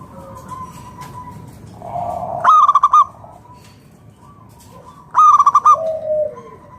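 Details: Wild-type local zebra dove sung as a lure for other doves: two loud bursts of rapid clipped cooing notes about three seconds apart, each followed by a lower, softer drawn-out note.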